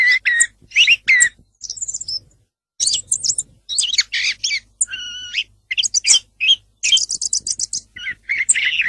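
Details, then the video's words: A song thrush sings loud, varied phrases, some clear fluty notes and rapid repeated chips, each phrase short and often given twice or more. "song of the thrush (canto del tordo bottaccio)"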